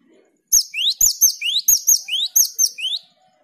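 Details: Java sparrow song meant to coax another bird into a long rolling song: rapid rising whistled sweeps and sharp high metallic notes, roughly ten in two and a half seconds, clean and loud with little background.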